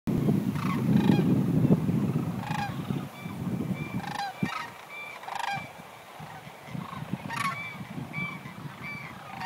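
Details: Sandhill Cranes staging in family groups at Creamer's Field, Fairbanks, Alaska, before migrating to Texas, give rolling, trumpeting calls, several birds overlapping every second or so, over a steady low rumble of wind.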